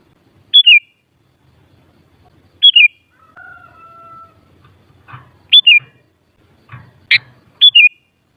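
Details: Sooty-headed bulbul repeating short, bubbly, falling phrases several times, mixed with brief chips from other birds and a faint steady tonal whistle in the background.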